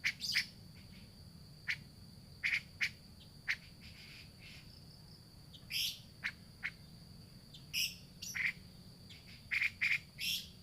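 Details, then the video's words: Grey-cheeked bulbul lure to get a non-singing bird calling again. Quieter, scattered scratchy chirps and short buzzy bursts arrive irregularly, some in quick pairs, against a persistent thin high-pitched hum. "pancingan cucak jenggot macet bunyi"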